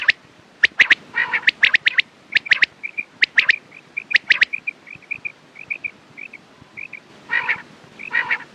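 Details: Quail calling for morning and night use: loud clipped note clusters and raspy calls, then a long even series of soft short whistled notes, closing with two grating rasps.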